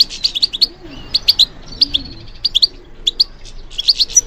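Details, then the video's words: Stimulated European goldfinch in song: tinkling high chirps and fast twittered phrases in short clusters, some notes sliding, separated by brief pauses. "How to encourage the goldfinch to respond to stimulation"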